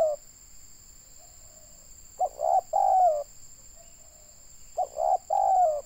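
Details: Local tekukur or spotted dove from Indonesia, used to attract wild doves, delivering two cooing phrases a few seconds apart, each with short stuttered notes ending in a long, gently falling coo; soft quiet coos between, constant high tone.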